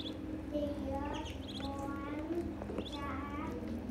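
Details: High-pitched cheeping from young ducks, quick squeaky notes mixed with sliding, upward-curving whistles, several overlapping callers, with low steady hum underneath.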